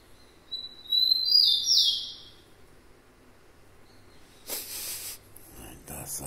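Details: Rufous-collared sparrow (tico-tico) singing a short phrase of high, clear whistled notes that slide up and down, lasting about two seconds. A burst of broadband noise, likely a voice, follows near the end.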